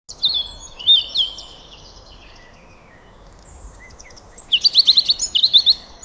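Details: Birds in a forest or garden at sunrise, chirping in bright high twittering bursts, a busy run of chirps at the start and a fast series of repeated high notes near the end, over soft steady breeze-like ambience.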